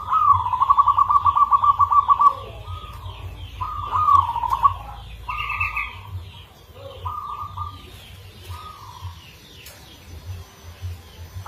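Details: Local zebra dove with a rare, unique rhythm, giving a lure song. Fast trilled coos open loudly, then separate rolling coo phrases repeat with gaps, fading toward the end beside faint chirps and a low hum.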